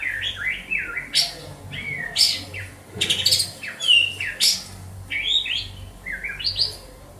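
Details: White-rumped shama from Banda Aceh singing clear whistled phrases that rise and fall, broken by sharp high chips, roughly one phrase per second, with a low hum underneath.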